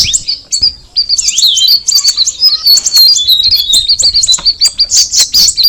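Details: Straw-headed bulbul singing a fast, bright twittering song of high chirps and short whistled slurs, with a few lower gliding notes and a dense run of sharp notes near the end.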